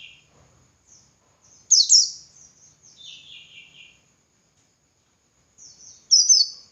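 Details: White-eye (pleci dakun) singing ngalas-style as training material for other white-eyes: a loud high descending twitter, a softer lower chattering phrase, then another sharp burst after a pause.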